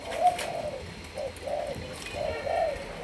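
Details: Malaysian-strain spotted dove, young and in decoy training. A few soft, low coos come in separate puffs with an accented note near the start, and faint background noise.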